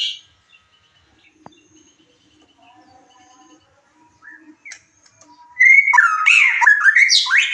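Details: White-rumped shama lure recording meant to raise emotion and mating drive and provoke a bird to answer and sing its full repertoire. Faint, thin sustained tones at first, then a sudden loud burst of rich, rapidly varied whistles and slurred notes.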